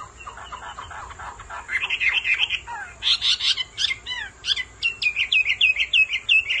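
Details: Male Hwamei roused by a female's calls, beginning with soft chattery notes that build into sharp, clear whistles repeated quickly in a rhythmic series.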